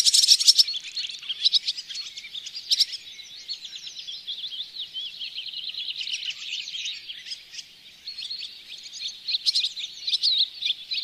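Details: Barn swallow at a bird hide in Oostvaardersplassen, September 2016, filmed on a Panasonic Lumix GH4; fast, scratchy twittering with rattling buzzy bursts, chattering on continuously in a high, dense stream with brief louder clicks.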